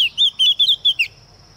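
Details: Female Oriental magpie-robin used as a lure, singing to provoke males: a short run of six clear whistled notes, slurred up and down, over about one second, with a steady high tone in the background.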